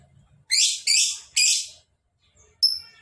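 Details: Lovebird giving three harsh chattering bursts in quick succession, each about a third of a second, then a single sharp whistled chirp.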